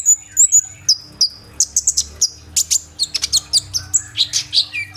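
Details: Sunbird, kolibri ninja, singing with rolling fill-in phrases, phone recording: a high thin whistle leading into rapid tumbling chirps and twittered notes, densely packed.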